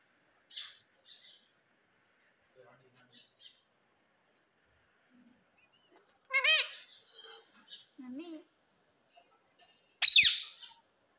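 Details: Rose-ringed parakeet, a pet in speech training: sparse faint chirps, then a cluster of harmonic, word-like notes, and a final loud piercing screech.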